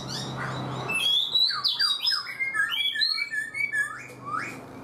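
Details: Four months caged, a black-throated laughingthrush sings a lively phrase of bright whistled notes, short slurs falling and rising in quick succession, over a low indoor hum.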